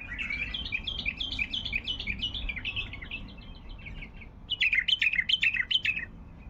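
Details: Baghdadi bulbul pouring out a continuous string of quick, rising and falling chirped notes, then a louder, emphatic burst of repeated bright notes, against a steady low rumble.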